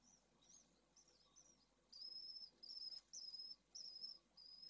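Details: Newly hatched pallid swift chicks from a second clutch in a nest box in Jerez de la Frontera, Spain, in hot weather: thin, high, drawn-out wavering peeps repeated in a steady series, growing louder midway.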